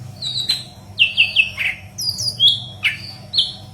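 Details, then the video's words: Intense gacor singing from a yellow-headed leafbird, recorded for tutoring green leafbirds: clear descending whistles and quick slurred chirps in a rapid phrase, with a faint low hum beneath. "Burung Murai Daun Kepala Kuning Gacor"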